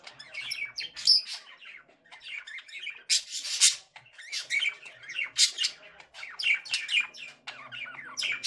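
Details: Long, rambling warble from a male budgerigar, mixing chattering chirps, clicks and harsh, noisy bursts with scattered high squeaks.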